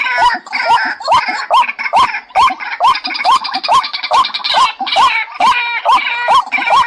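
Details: Decoy call of a White-breasted waterhen used for trapping: steady upward-hooked croaking notes, about two per second, overlaid with harsh buzzy chatter.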